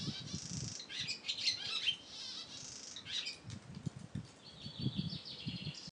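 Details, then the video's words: A European swallow's song of rapid high twitters, short buzzy rattles and chattering phrases, broken by brief pauses, over repeated low thuds and rumbles. "European swallow song"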